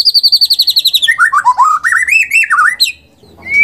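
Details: Caged white-rumped shama used as a lure to provoke singing: a rapid run of high repeated notes, then lower rich whistled phrases rising and falling, ending with a rising whistle amid faint background noise.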